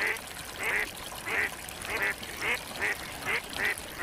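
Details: Ducklings swimming in a pool give high, clear peeps with harmonics, evenly repeated about every 0.6 seconds, each note short and slightly falling.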